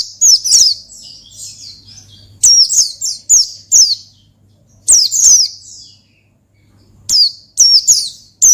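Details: Oriental white-eye singing to call a rival: quick, high-pitched twittering phrases in clusters of several notes with gaps between, a soft steady hum in the background.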